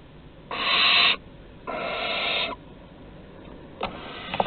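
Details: Barn owls at Théding on 23 August 2020 as an older owl hands prey to a younger one. Two rasping, hissy screeches, the second longer and softer, then faint clicks and scratches in a quiet background.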